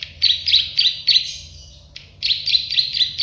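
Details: Plain prinia, called prenjak sawah or klik-klik bird, giving a rapid series of sharp, clicking chirps in two runs split by a brief pause, roughly three notes a second.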